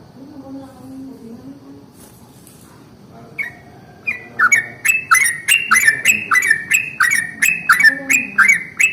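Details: Yellow-vented bulbul giving its long rolling morning song, used to provoke other bulbuls into singing: after a quiet, murmuring start, bright chirpy notes repeat rapidly in a steady roll, with sharp clicks over a low background hum.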